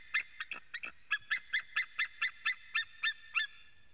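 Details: ['Calling male white-tailed eagle at a webcam site in Latvia, 23 September 2017, 14:12, with another male also heard. Uneven opening yelps settle into a steady, rapid string of sharp, high notes.']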